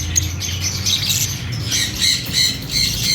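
Fischer's lovebirds chatter in shrill, squeaky chirps, about three a second, over a low hum.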